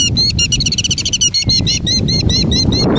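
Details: A killdeer feigning a broken wing in 2019 gives a fast, breathless run of piercing high notes that crowd into a near-trill, then slow to separate sharp cries, with low rumble underneath.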